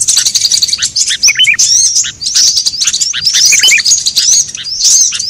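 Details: Sunbird lure recording used by bird trappers to draw birds together: dense, rapid high-pitched chirps and thin sweeping whistles, busy and overlapping throughout with only brief pauses, sounding like several birds calling at once.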